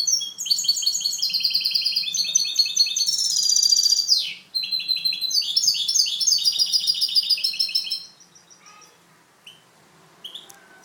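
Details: Goldfinch hybrid (mixto) kept for training gives clean song (canto limpio): about eight seconds of bright, rapid twittering and rolling trills with one falling buzzy note midway, then near silence with a few faint chirps.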